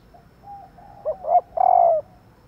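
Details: Female spotted dove calling to prompt males to coo: faint soft notes lead into a short hoot, a swelling coo, then a long, gently falling, slightly rough coo.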